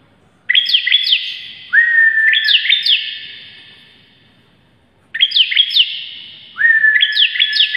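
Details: Bar-winged prinia, known as ciblek, delivering masteran song in two bursts: a sustained buzzy whine topped by rapid zigzag chirps, each burst fading out before a silent gap and then resuming, recorded close and clean.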